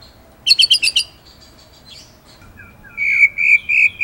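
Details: White-rumped shama masteran phrases: a quick cluster of high chattering notes, then softer twitters and a series of clear, mid-pitched whistles with slight rises, over a faint background hiss.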